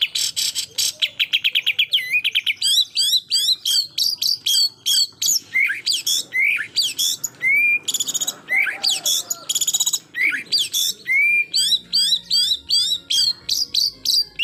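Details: White-rumped shama singing a full, rapid-fire song used to provoke a rival: dense bursts of sharp whistles, rattling buzzy trills and upward-swept notes, tumbling almost without pause.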